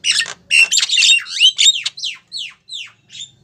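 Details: Female Javan myna calling to a male, lure recording: grating squawks give way to a series of clear downslurred whistled notes, spaced further apart and fading.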